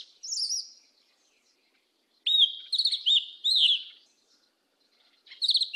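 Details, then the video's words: Song of the Yellow-legged Thrush (sabiá-preta) in the 'mateiro do sul' style: short high trilled phrases of rolling, wavering whistles separated by pauses of over a second, each phrase rippling downward. "SABIÁ PRETA CANTO MATEIRO DO SUL"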